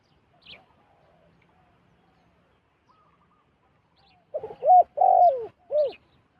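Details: Wild zebra dove approaching a decoy bird; a quiet opening gives way to a tight run of loud, arched, bouncing coos in the final two seconds.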